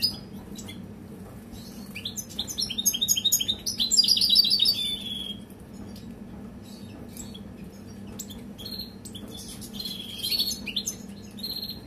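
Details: Captive caged breeding pairs, expected to breed soon, sing: rapid, high canary-like trills and twittering phrases in bursts, brightest around four seconds, over a steady low room hum.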